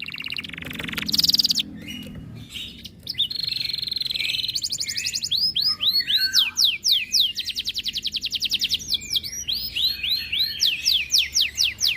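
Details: Canary in breeding condition, aggressive at other birds' sounds: buzzy high trills and a steady whistle, then long fast series of arched and sweeping chirps building in rhythm.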